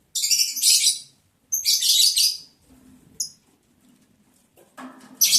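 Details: During mating in the breeding season, lovebirds on 11 July 2022, day 11 of breeding: two drawn-out shrill, hissing screeches, a quiet stretch with a single sharp knock, then a fresh shriek beginning.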